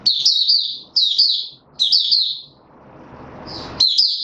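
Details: Short high-pitched twittering phrases from a male white-eye being pushed on form, 31 December 2021, repeated about every 0.9 seconds, then a pause filled with a rising hiss of background noise before singing resumes.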